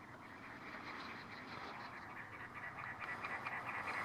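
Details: A cactus wren calling in the desert of North Phoenix, Arizona: a harsh, rapid, chugging series of grating notes over a steady background hiss.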